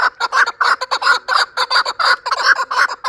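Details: Chukar partridge, a last year's chick praised as the best partridge, from Qavoq in Shurobod, delivering a fast, uneven run of harsh clucking chuk notes, about fifteen bursts in three seconds, loud and close, with no other clear sounds.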